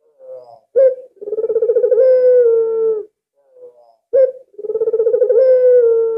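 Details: Decoy albino Barbary dove, noted as calling very often, delivers two coos: a soft introductory note, a sharp short note, then a trembling purr that steadies into a long, slightly descending tone.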